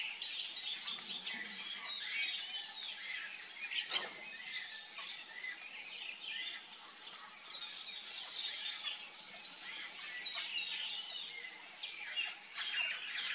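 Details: Sayaca tanager, also called sanhaço-cinzento, singing: a long run of high, squeaky, rapidly slurred notes with rising and falling sweeps, nearly continuous and irregular, with a brief soft thump near the fourth second.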